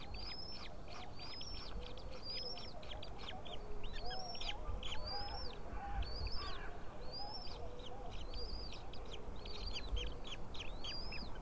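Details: White-tailed eagle nest with a female feeding three small eaglets beside a pile of fish, recorded 20 April 2016 at 7:38. Thin, high, arched calls repeat about once a second over a steady low rumble.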